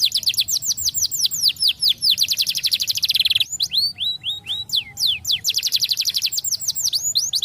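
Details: Canary singing as a tutor for young birds: long rapid trill of repeated downslurred notes, a brief buzzy roll, then slower loud whistled sweeps and another quick trill.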